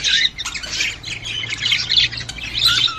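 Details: Squawky, buzzy warbling of budgerigars, a sound used to encourage a female to mate, with overlapping chirps and rasps throughout and a faint low hum.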